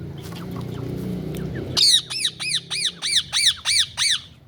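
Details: A pet Indian ringneck (rose-ringed parakeet) gives a run of eight harsh, arching squawks, about three per second, after a low rumble of background noise.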